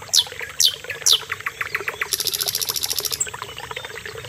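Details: Common nightingale (Sikatan Londo) song: three sharp, high descending whistled sweeps about half a second apart, then scattered short notes and a rapid, dry pulsed rattle lasting about a second, over a constant faint hiss.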